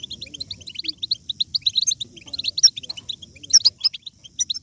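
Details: Continuous high-pitched twittering from a European goldfinch in batbata style, meant to stimulate other goldfinches to sing: quick chattering notes with occasional sharper, brighter chirps mixed in. Soft low rumble underneath.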